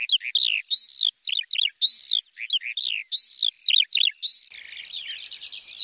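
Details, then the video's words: A lark alternates arched whistles and quick chirps in short phrases, then slips into a rising, jumbled, very high twitter at the end, with no other sounds present. "تغريد طائر قبرة الحقول(القوبع) Chant de Alouette des champs"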